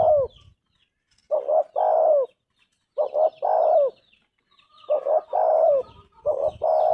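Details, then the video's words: Low mellow coos from a spotted dove, each phrase a pair of short notes followed by a drawn-out falling coo, repeated three times. Soft distant bird chirps sit higher up. "Tekukur gacor suara emas"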